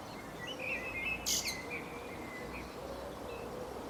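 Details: Common blackbird perched on a tree branch in England, giving a low mellow warbled phrase of slurred whistles, interrupted by a brief sharp click, then quieter scattered notes over light hiss.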